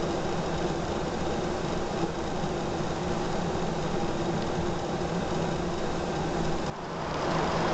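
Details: An idling engine drones steadily throughout, with a brief dip near the end and no animal voice.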